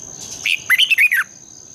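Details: Red-whiskered bulbul singing in the morning to stimulate other birds: one quick phrase of about six clear, rolling whistled notes lasting under a second, over a faint high tone.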